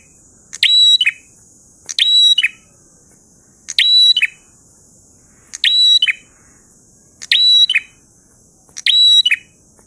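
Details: Prenjak, a prinia, in ngalun song: six identical phrases about every 1.6 seconds, each a sharp buzzy start, a level piercing whistle, then a dropping twangy ending, over a steady high hiss.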